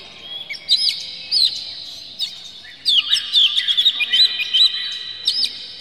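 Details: Oriental magpie-robin song used to provoke birds into tail-spreading and singing. Scattered whistled notes give way to a fast, tumbling sequence of sweet, slurred high whistles and chirps.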